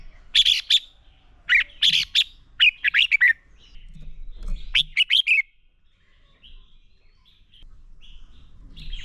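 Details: Red-whiskered bulbul singing a fighting song used to train and stimulate caged birds: loud, quick bursts of buzzy, warbling notes grouped in short phrases, each phrase sliding downward, then quieter distant chirps and faint background hum.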